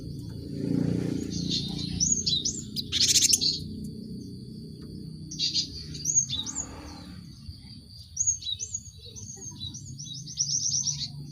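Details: Cinereous tit lure for caged birds. Scattered high slurred notes and one harsh burst over low rumbling background noise, ending with a quick rattling series of high notes.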